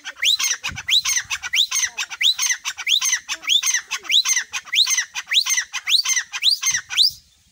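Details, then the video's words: Close, loud grey francolin (teetar) calling: a steady run of shrill, upward-sweeping notes with harsh overtones, about two per second for seven seconds, then abrupt silence. "teetar voice || grey francolin"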